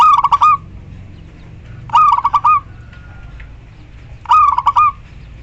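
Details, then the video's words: Local female perkutut, the zebra dove, calling a male as a lure for non-singing birds: three stuttered cooing phrases roughly every two seconds, each a fast tumble of pulses ending on a held note. "perkutut lokal betina memanggil JANTAN"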